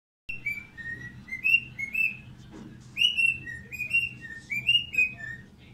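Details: A pet cockatiel welcoming its owner home whistles a run of clear, sliding notes, rising and falling in a lively greeting song.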